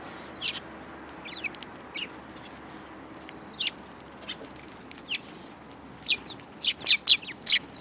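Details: Several sparrows photographed in March 2018, giving short, high, sharp chirps, scattered at first and then bunched more tightly toward the end, over a quiet hiss.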